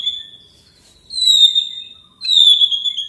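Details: Provocation song of a white-rumped shama aimed at a rival: two long, pure, high whistles, each held steady and slightly falling, separated by a short silence.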